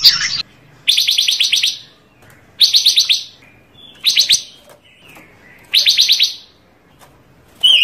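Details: Varied song of a Panca Warna bird, used for training masters and as a trapping lure: bright rapid trilled phrases of about one second, repeated at irregular intervals with quiet gaps between.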